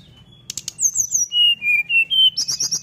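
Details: Brown-chested jungle flycatcher's fluting 'nyuling' song, sung with beak open to draw other birds into singing: a few sharp clicks, then clear high whistles sliding down in pitch, followed by a fast twittering trill.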